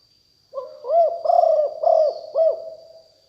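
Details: Spotted dove, an aggressive strain kept for lure sounds, delivering one phrase of husky coos, four rolling notes in quick succession. A thin, steady high tone and faint chirps sound in the background.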